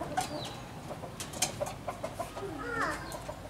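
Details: Grey-backed pheasant giving a series of short low clucks roughly twice a second, ending in a brief rising squeal, with faint background rustling.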